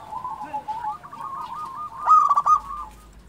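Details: Zebra dove (local type) singing a fast, wavering run of cooing notes that builds to a louder, rattling trilled burst near the end.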